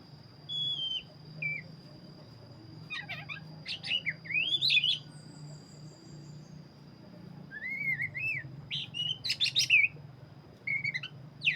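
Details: Black-breasted Oriental magpie-robin singing in full voice: high whistled notes, sharp rising and falling sweeps and rapid clustered chirps in bursts, over a steady high electronic whine and low background hum.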